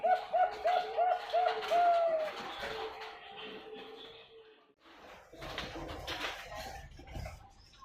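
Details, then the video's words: Bangkok-type zebra dove (perkutut), ringed, from a bird farm in Pasuruan, East Java, Indonesia, 2021: six quick clear cooing notes followed by a drawn-out coo, then a low murmur of background noise. "SUARA PERKUTUT BANGKOK"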